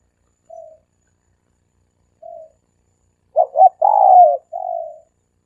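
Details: Dove lure call in the three-coo manner: two soft, isolated short coos, then a loud phrase of two clipped notes, a long falling coo and a flatter trailing coo.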